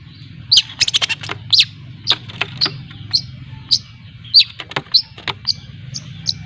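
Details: Long-tailed shrike (cendet) from Lampung, young bird learning to sing (ngriwik), used as a lure; scattered short sharp whistled chips and clicks at irregular intervals over faint low hum.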